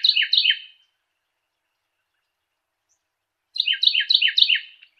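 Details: Clear Carolina wren song: a short run of two loud, rolling downslurred phrases, a pause of about three seconds, then a faster series of five similar ringing phrases. No background noise.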